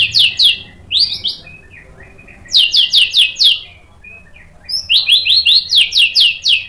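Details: White-rumped shama excited by a rival, singing in bursts of high, sharp repeated chipping notes, each burst five to eight notes long, separated by short pauses.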